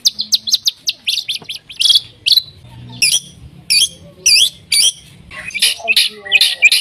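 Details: White-rumped shama song aimed at getting other shamas to sing: quick high ticks, then louder spaced whistled phrases with sweeping notes, ending in a varied jumble of chirps.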